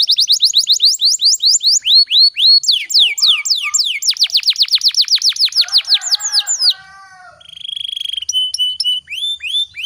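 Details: Canary singing a long, rolling song meant to prompt other canaries to sing: continuous fast downslurred whistles forming extended trills, a softer chattering passage, then a steady high whistled tone and more clipped notes.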